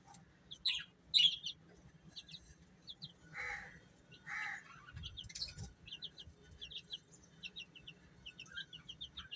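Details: Baby chickens peeping: short, high, thin chirps in quick scattered bursts, some sliding downward, several birds overlapping, with a faint steady hum beneath.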